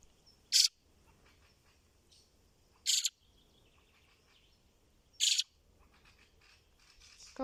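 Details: A recently fledged fieldfare chick, barely able to fly, hiding in grass and calling as it searches for its parents, gives three harsh, scratchy squeals about two seconds apart, with low rustling between calls.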